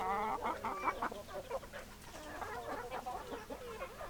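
Several hens cluck in quick, overlapping bursts, about two or three a second, with a longer nasal, drawn-out note early on.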